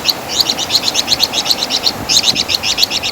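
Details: Loud chatter of a flamboyan bird (Wergan Jawa), recorded as a training master for songbirds: two quick strings of bright, hooked, high-pitched notes with a brief break between them.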